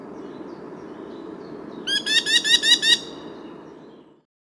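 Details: A Merlin in Córdoba gives a quick chattering run of about seven sharp, harsh, high notes in a second, over a steady low rumble of wind.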